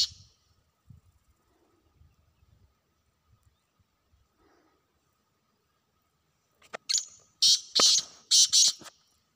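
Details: Wild black francolin on a hunt: faint low rustling and taps, then a loud grating call of several rasping notes in close pairs, with clicky onsets.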